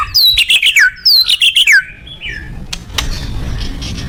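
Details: White-rumped shama (murai batu) in loud song: two quick bursts of descending chattering notes, then quieter background noise and a sharp click.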